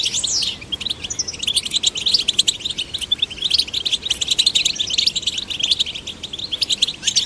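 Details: Young male and female goldfinches coaxed into song; a sweeping slurred note opens a fast, continuous jingle of high chirps and tinkling trills that runs without a break.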